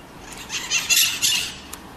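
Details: Maritaca, a Pionus parrot, giving harsh, raspy squawks: a quick run of three or four loud, grating notes packed into about one second over faint background hiss.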